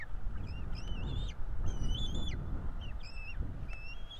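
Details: Pair of bald eagle chicks at a Florida nest, 5 April 2022, calling while fed; wavering high whistles, slightly rising then dropping sharply, in quick sequence over loud low-frequency rumble.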